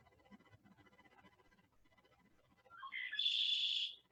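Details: A male red-winged blackbird, nesting in cattails by the marsh at Lake St. Clair Metropark, sings a few quick rising notes, then a harsh, buzzy trill lasting under a second; faint talking murmurs beforehand.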